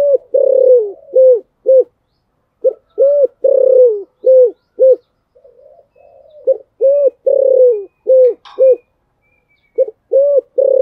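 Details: Spotted dove, Thổ Sấm voice, giving fighting coos to push a rival into cooing: a long series of quick arched hoots in irregular groups, broken by a soft low murmur, with faint high whistles.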